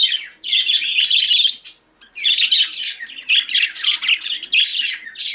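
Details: Budgerigars warbling: a long run of scratchy, high chirps, a two-second lull, then denser rapid twittering and squeaks.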